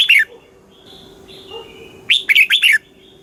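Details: {'caption': 'Thai red-whiskered bulbul song in the southern master style, used to stir caged birds and coach young ones: a short phrase tail, quiet faint whistles, then a loud rolling phrase of four or five clear notes; constant low hum.'}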